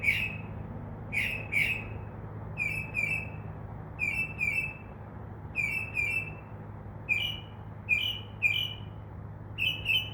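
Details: Northern mockingbird, singing from a tree at night, mimics crow caws: harsh, caw-like notes in quick pairs and triplets, repeated roughly every second or so, over a steady low hum.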